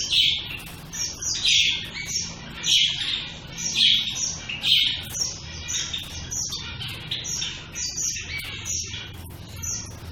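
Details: Shaft-tailed finches start with a run of loud, high calls spaced roughly a second apart. Quieter, denser chattering and soft twitters follow, set against a low, constant hum.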